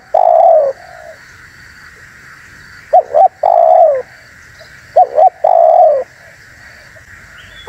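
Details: Spotted dove call for attracting and provoking wild doves: a long coo, then two phrases of paired short coos each ending in a sustained falling coo, over a steady hum.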